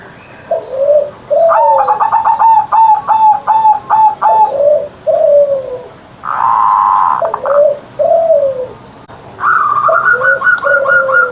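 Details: Caged zebra dove in loud morning song of the deep 'ngerot', 'mbekur-mbekur' style: soft low coos alternate with rapid stuttering runs of clipped notes, repeated in bursts with brief pauses and one harsher broadband burst midway.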